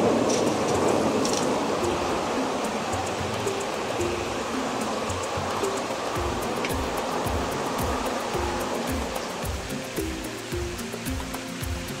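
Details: Background music layered over a broad, steady rushing noise like running water, with no animal calls heard.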